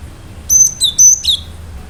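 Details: Cinereous tit singing persistently with sharp notes, used to provoke other birds into answering. Two pairs of high whistled notes: a level whistle dropping to a lower slurred note, each pair repeated, over faint low hum.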